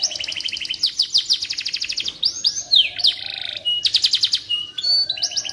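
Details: Canary singing as training audio for magpie-robin-type shamas: fast rattling trills open the song, then swooping whistles, a dense buzzy roll, and further crisp trilled bursts follow without a break.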